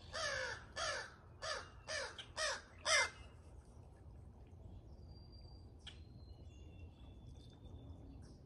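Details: Crows calling from a pair being fed in the morning: six loud, rasping, falling caws spaced about half a second apart over three seconds, then quiet with distant thin bird whistles and a low hum.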